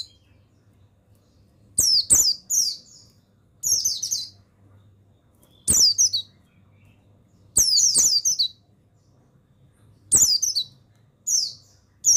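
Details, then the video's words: Training song of a male buxtoni mountain white-eye, meant to spur lazy caged birds to sing: brief high-pitched, slurred twittering bursts repeat about every two seconds, with clicks and a soft constant low hum. "Suara Pemasteran yang Untuk Pleci Bustomi Bahan Bikin Burung Pleci Bustomi Gacor Ngalas"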